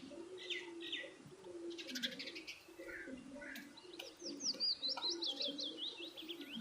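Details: Birds eating food call with scattered short tweets, then a quick series of sharp, downward-sweeping chirps in the second half, all above a steady low hum.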